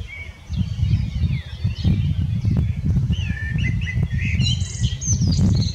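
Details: Common blackbird song with a run of mellow whistled phrases and squeaky, rising high twitters toward the end, partly covered by constant loud low-pitched rumble.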